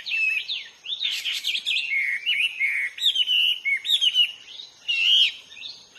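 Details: Out in the wild, a hwamei sings a loud, elaborate medley of whistled slides, trills and sharp chirps without pause.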